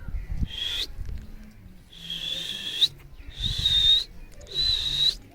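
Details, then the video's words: Angry Alexandrine parakeet, also called ringneck: four long, harsh, grating screeches, each about a second, with short pauses between them. Faint low background noise. "original voice 😜 angry 😡 parrot"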